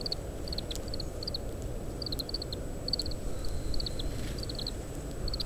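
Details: Oriental greenfinch (Chloris sinica) gives short, high twittering call notes in quick bursts of two to four, about every half second, while feeding on split summer camellia seeds, recorded by parabolic microphone in strong wind with a steady low rumble.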